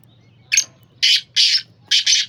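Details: Black francolin calling: a loud, harsh, grating phrase of one short rasping note followed by two longer scratchy notes and a final doubled note, over about two seconds, with a faint low hum behind.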